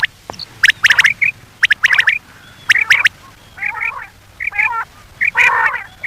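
A common quail gives quick clusters of sharp, clicky notes, each ending in a short high whistle, followed by lower, buzzy, squawking calls about once a second.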